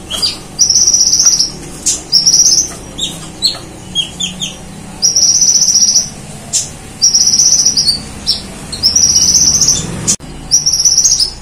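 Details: Very active kolibri ninja sunbird in full song, imitating the cililin bird and golden grasshopper: long, buzzy, high trilled bursts of about one second each, alternating with short sharp chips and scratchy notes, repeated steadily.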